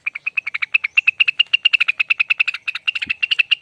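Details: Lesser green leafbird delivering its extended 'ropel' song, a clean, unbroken series of rapid sharp chips repeated roughly eight to ten times a second, with one soft low thump midway.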